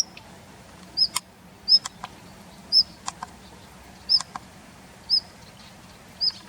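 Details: In a plum grove held as its winter territory, February 2021, a Daurian redstart gives thin, high whistles roughly once a second, mixed with short dry clicks.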